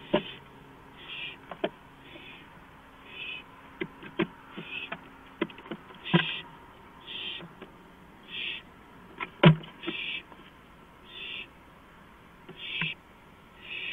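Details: On a porch at 2:05 AM, April 5, 2015, an owl gives a long series of short, breathy rasping screeches, about one every second or so, with sharp clicks and knocks scattered throughout.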